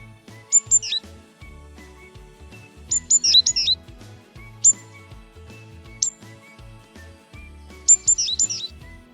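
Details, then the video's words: Tit (yellow-and-blue синичка), a bird that winters in Ukraine, gives short bursts of high, sharp chirps every one to two seconds over soft background music. "діти послухайте як цвірінькає синичка [музика] малята"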